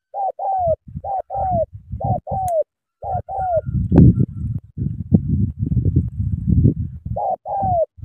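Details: Cà Mau spotted dove used as a decoy, cooing in paired and triple falling notes, mellow and evenly pitched, with a stretch of low rumbling noise in the middle before the coos resume.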